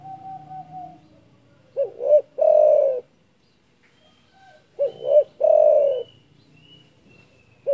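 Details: Spotted dove with a big voice that provokes rival birds, delivering two full phrases about three seconds apart, each two short hooting notes then a prolonged burry coo. Faint high whistles from another bird sound in the gaps.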